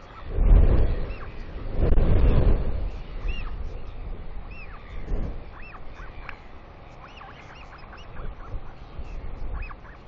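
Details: Royal albatross chick squealing excitedly at the nest as its mother flies in early on the morning of 29 July 2020 to feed it: rapid, irregular series of short squeaky rising-and-falling notes, opening with loud low rumbling bursts.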